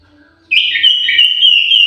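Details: Orange-headed thrush in an aviary, holding a bright, clear whistle that starts abruptly and runs steadily for over a second with small warbling bends.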